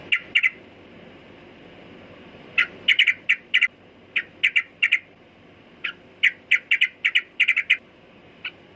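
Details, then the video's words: Sooty-headed bulbul uttering short, crisp, clipped notes singly and in quick pairs, spaced by irregular pauses of up to two seconds, over soft background hiss. "Burung Trucukan Kicau Mania"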